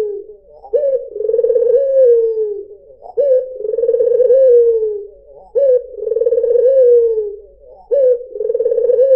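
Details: A white dove gives low, rolling coos, each a long purring note with a sharp start, repeated about every two and a half seconds; the recording is meant as a lure call for other doves.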